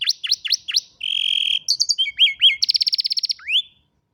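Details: A varied canary song recorded on a mobile phone: sharp V-shaped chirps, a steady buzzy tone, looping slurs, a quick trill of even notes, and a final rising whistle.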